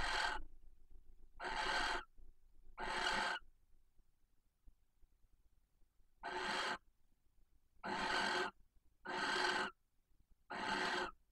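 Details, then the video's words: At night by a nest box near Casa Palillos, Cabañeros National Park, a female barn owl calls insistently for her mate: three harsh hissing screeches, a pause of about three seconds, then four more. "Apareamiento EN PRIMER PLANO - Lechuza común"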